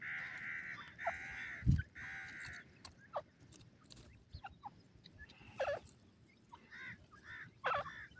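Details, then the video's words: Francolins (teetar), a Dakhni silver pair and an old bird: harsh, grating call bursts, several close together, then a pause before more scratchy notes, over a low rumble and a thump. "Dakhni Silver Jore and Bhuda Teeter sound"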